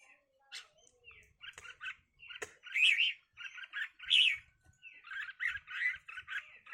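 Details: Red-whiskered bulbuls in a fight: loud harsh scolding bursts repeated about every second, with fainter chatter and a sharp click partway through.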